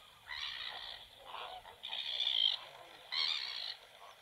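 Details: Black-winged stilt at a nest where two chicks have just hatched and an egg remains, the chicks already feeding by themselves; three loud, harsh, nasal yelps, each lasting over half a second, separated by short pauses.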